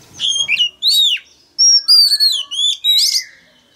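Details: Male Oriental magpie-robin singing loudly so a young bird will join in: a rapid string of clear, ringing whistles, some falling and some held, delivered in quick bursts.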